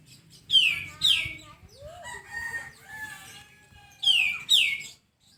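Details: A sooty-headed bulbul gives a pair of loud falling sweeps, then softer lower whistled notes and a rising slur, then another sharp downward pair near the end.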